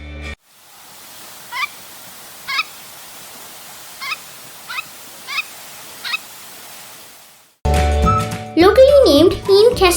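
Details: Jack Snipe (Lymnocryptes minimus) giving six short, hoarse, clipped calls spaced about a second apart over a quiet background, followed by music.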